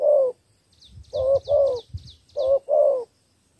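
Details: A Cà Mau spotted dove performs 'thổ 3 âm' three-note cooing. Short-long coo pairs are heard over low rumbling handling noise, with thin high chirps from another bird.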